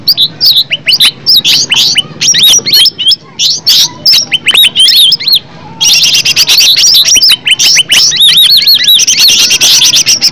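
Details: Green leafbird, called cucak ijo, singing in a lure recording meant to provoke other birds into song: separated arched whistles and chirps for several seconds, then a denser, continuous high twittering stream in the second half.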